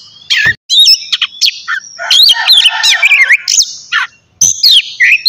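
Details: White-rumped shama in full morning song, meant to encourage other shamas to sing; energetic, varied whistles with rapid zigzag trills, scratchy notes and short pauses between phrases.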